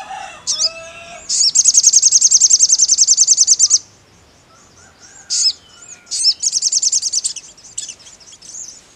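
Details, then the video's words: Crimson sunbird song: a brief chip, then a long, rapid, very high trill of evenly spaced notes lasting over two seconds, a pause, and then more chips and a shorter trill. "SUARA SOGON"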